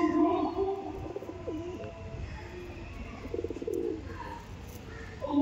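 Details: Giribaz pigeons cooing: low, throaty rolling coos, some with a wavering pulse, repeated several times over a steady background murmur indoors.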